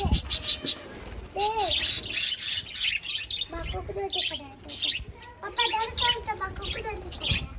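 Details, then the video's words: Budgerigars kept as pets give busy, scratchy chirps and quick high tweets in clustered bursts, with short warbled phrases woven between them. "budgies chirping"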